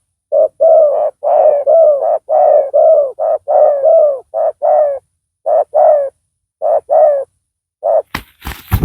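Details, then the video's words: Spotted dove cooing during luring of a rival with a decoy; rapid series of low, mellow paired coos, slowing toward the end, closed by a burst of clattering handling noise. "Pikat tekukur tapau Bl suara besar"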